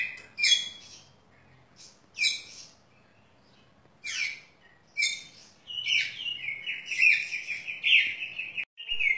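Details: Caged contest Oriental magpie-robin giving a few spaced, harsh, scratchy notes about every two seconds, then breaking into a continuous stream of quavering, rattling trills.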